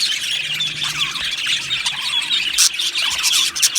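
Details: Budgie colony chirping and singing in an aviary: short burst of dense, high chattering with thin whistled squeaks layered over the babble.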